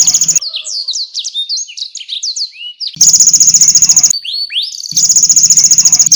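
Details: Lively canary delivering konin and blackthroat bursts for tutoring competition birds: loud buzzy pulsed rattles alternate with stretches of quick, high, sliding whistles and chirps, switching back and forth twice.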